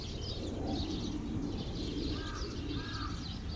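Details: Noisy autumn flock of Eurasian tree sparrows, recorded 18 November 2011 with ED50 and WX30 gear: dense, overlapping high chirps and twitters chatter continuously, with a few lower arched calls from another bird and a steady low rumble beneath.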